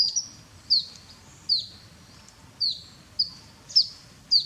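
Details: Grey-headed canary-flycatcher bathing in Cambodia, giving seven sharp, high, thin downslurred chips at uneven intervals over four and a half seconds, each with a faint trailing tail; a low, quiet background hum underneath.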